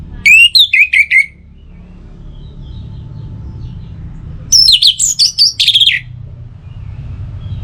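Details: Orange-headed thrush singing, used in the morning and evening to stir other birds into song: two loud phrases of high whistled, slurred notes, each about a second long, separated by three seconds of low hum.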